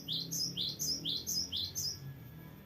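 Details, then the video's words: Gelatik batu, the cinereous tit, singing actively in rolling style; high sweeping double notes repeated four times at half-second spacing, low murmur of background noise beneath. "GELATIK BATU GACOR NGEROLL PANJANG BERVARIASI"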